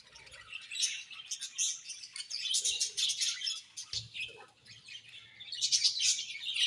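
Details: A cheerful budgerigar colony: many birds giving thin, high chirps and squeaky warbles, rising and falling in waves and swelling louder again at the end.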